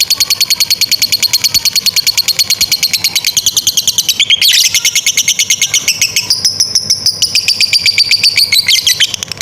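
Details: Fighter lovebird in top form delivering an extended ngekek trill for training young or stalled birds: continuous rapid, rasping chatter with a short swooping squeal midway, then the rattle climbs and carries on.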